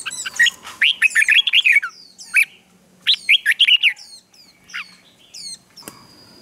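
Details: Red-whiskered bulbul giving a lively morning fighting song meant to excite wild-caught birds into singing: quick runs of liquid whistled notes, swooping up and down, in several bursts with short pauses between.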